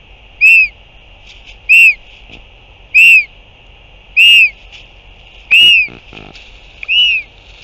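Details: Northern royal albatross, recorded 8 June 2023 as a parent returns and feeds the chick: a regular series of six short arched whistles, about one every 1.3 seconds, clear against faint steady hum and a few soft clicks.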